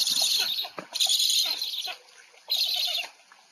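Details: Black stork at an afternoon feeding, Łódź, 20 July 2020: three wheezy, hissing bursts with a stuttering rattle, separated by quieter gaps.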